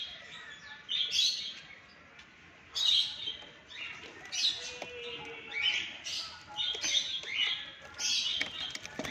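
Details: Alexandrine parakeet at 6 am giving loud, grating squawks in uneven bursts, roughly six or seven across nine seconds, over a quiet background.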